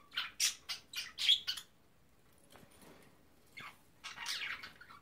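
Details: Pet cockatiel attempting to talk and sing, heard as quick raspy, breathy chatter syllables in a fast burst, a pause, then more harsh scratchy mumbling.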